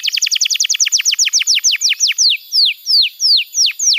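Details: Canary tutor song meant to train young birds. A fast series of sharp downward-sliding chirps gradually slows, with the notes spreading apart over four seconds.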